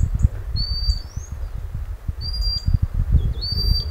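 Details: Common sandpiper, a small wader, calling its young near its breeding site by a river in the North of Scotland, recorded on a Sony a6600 camera; three high, thin whistled notes, each level then slightly rising, over a steady low rumble of flowing water.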